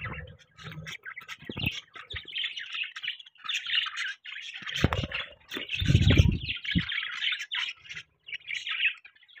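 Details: Morning chatter from pet budgies: continuous scratchy warbles and chirps, joined by heavy low thuds and knocks, loudest around the sixth second.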